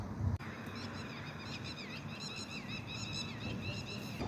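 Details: Bird calling at night in the Philippines, where locals link such sounds to the aswang: a steady stream of high, repeated chirping notes over a constant broad background hiss.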